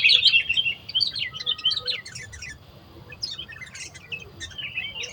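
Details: Wild sooty-headed bulbul lured in the forest, singing quick bubbly chirping phrases of high warbled notes, pausing then resuming, over a low background hum.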